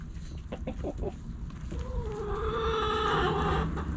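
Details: Backyard rooster among pecking, scratching hens; a few quick clucks open, then a long sustained crow rising into a harsh held note to the end.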